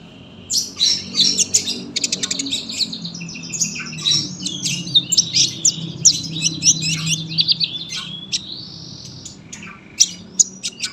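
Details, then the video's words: Sunbird with long, dense song for tutoring young birds: a busy run of high rattling chips and twittering, then a sustained thin whistled note and scattered chirps, with a faint low hum. "KOLIBRI GACOR PANJANG SUARA RAPET"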